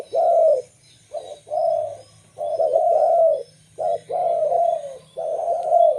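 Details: Local zebra dove song for luring wild zebra doves: rolling, slightly descending coos grouped as a brief note followed by a drawn-out warble, repeated about every two seconds.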